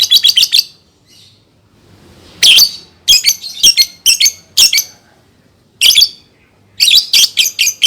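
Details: Lovebird, a recording suited to training young birds: clusters of quick, shrill chirps in bursts with short pauses between them, some notes harsh and squawky.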